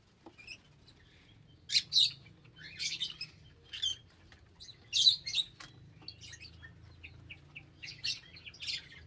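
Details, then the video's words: Shrill, scratchy lovebird chirps come in spaced clusters, a few squeaky notes between the louder harsh bursts, over a faint low hum. "Love Birds Nature Sound"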